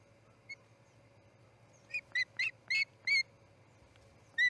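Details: Osprey chick at the Charlo nest on its fledging morning, August 10, 2018, around 6am: a few short whistled notes with rising harmonics near the start, then a short run of sharp, evenly spaced chirps, all over a steady low hum.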